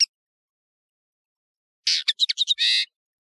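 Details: European serin, known as nino in Algeria and kamatcho in Morocco, on a tutoring tape: one sharp note, then after silence a second-long high, fast jingle ending in a dense buzzy note.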